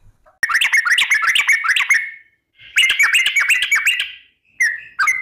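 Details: Lure recording of a female Sooty-headed bulbul (trucuk) in long 'ropel' style, meant to prompt singing: two lively bursts of rapid bubbling whistles, each almost two seconds long, then a brief closing note.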